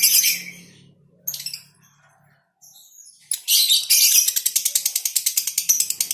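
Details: Lovebird colony with a 'konslet' female: short bursts of high chirps broken by pauses, then a rapid ticking chatter repeated about twice per second.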